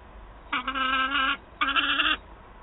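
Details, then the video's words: Peregrine falcon youngster in Wałbrzych, Poland, 9 August 2022, complaining to its mother for food: two hoarse, strained wails, each under a second, over a faint background hiss. "Gutek skarży się mamie "gdzie mój łup""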